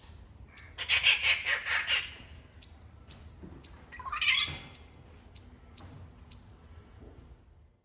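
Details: Rufous treepie giving loud calls; a harsh, grating burst of about five rapid squawks at the start, then a shorter rasping call, with faint repeated high ticks in the background.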